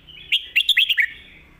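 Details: Red-whiskered bulbul song in the 'stir-fried noodle' and 'bottle-shaking' styles, played for teaching pet birds at home: one quick phrase of about six sharp, slurred whistled notes, rising then falling, in a quiet setting.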